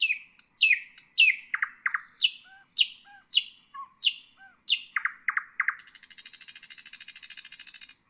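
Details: Common nightingale singing for songbird and bulbul training: a varied run of sharp descending notes and soft low chuckles, then a long high rapid buzzing trill lasting about two seconds.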